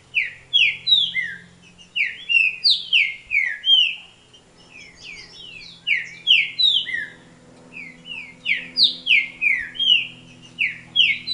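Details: A Green-winged Saltator, a kept bird, sings loud, clear whistled phrases of quick downslurred notes, repeated in bursts every second or so over a faint low hum.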